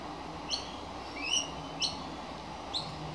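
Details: A hungry baby magpie calls out, giving four short, high chirps with bright overtones, some rising, spaced about half a second to a second apart over a low background hum.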